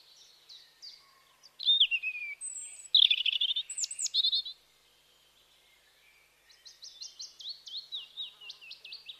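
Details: Several birds chirping in a natural setting: high thin whistles and sliding notes around the middle, then a run of quick repeated downslurred chirps near the end, with short quiet gaps between phrases.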